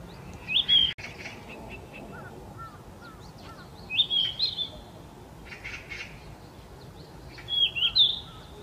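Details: Yellow-rumped flycatcher singing in May in Gyeonggi Province, South Korea, a summer visitor: three clear whistled phrases, each a rising slur into a fluty note, spaced about three and a half seconds apart, with quiet chips of other birds between.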